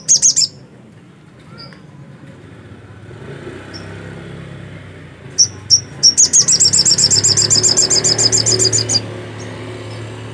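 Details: Energetic black-capped white-eye song: an opening burst of high chirps, scattered thin notes, then a long three-second run of rapid, piercing high chirps over a low rumbling background.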